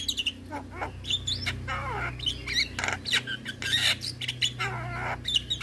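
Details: Javan myna (jalak kebo), white-eyed, in a training recording for young birds: rapid jumble of sharp whistles, rising and falling squeaks and rough squawks, about two phrases a second, over a steady low hum.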